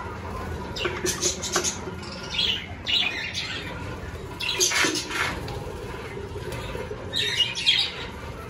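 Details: Captive budgerigars in a large aviary, breeding season starting and clay nest pots newly added: scattered bursts of bright twittering and short harsh chirps from several birds, with quieter gaps between flurries.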